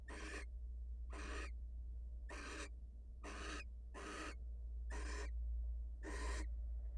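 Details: As the wild female barn owl leaves the nest to meet her mate, seven short, rough hissing shrieks follow at near one-second intervals over a steady low hum.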